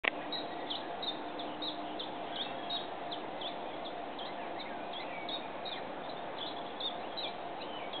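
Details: Common chiffchaff (Phylloscopus collybita) song: short, high, clipped notes repeated at an even pace, several a second, over a steady hiss of background noise.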